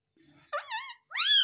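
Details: Pet talking parrot: a faint low murmur, then two bright, harsh, wavering calls in quick succession, the second louder and held steady.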